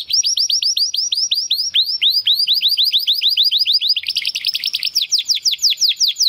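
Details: Belgian canary singing a fast rattling song of rapidly repeated high upslurred notes, about eight per second, shifting midway into a denser, brighter buzzing trill.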